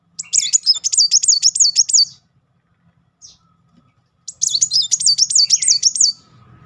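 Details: Two high, fast-rippling trills from a Van Hasselt's sunbird, each near two seconds long and separated by a silent gap. The 'nembak' bursts serve as a lure to stir young or non-singing sunbirds.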